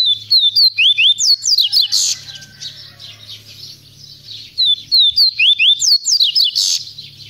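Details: Double-collared seedeater, a caged bird described as a natural repeater singing the viviti or quaquati song style; bright high whistled phrases of rising and falling slurred notes, given twice with a pause, over a low steady hum.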